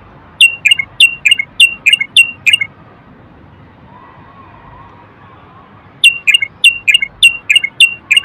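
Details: A male Moroccan common bulbul, used to stimulate males to sing and prepare females for mating, gives a run of about seven sharp, identical whistled notes. After a pause of several seconds a matching run follows.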